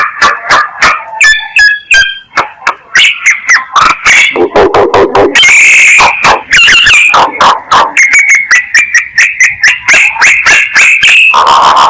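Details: Myna decoy calling used to lure birds: a rapid run of harsh, broadband chattering notes mixed with short whistled and nasal tones, irregular and almost continuous.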